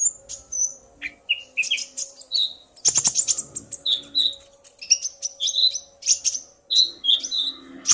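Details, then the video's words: Male and female common ioras calling back and forth, the male roused to sing by the female: dense, busy high chirps, twitters and short whistled slurs, with a brief loud rustle near the middle and a steady low hum. "Burung Konin Pancingan EMOSI agar burung bahan gacor"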